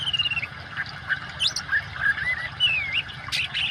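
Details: Oriental magpie-robin, singing richly, mixed with water sounds as therapy for birds that have gone silent: long drawn whistles that slide downward, a few sharp upward notes and chirps, irregularly spaced over flowing-water hiss.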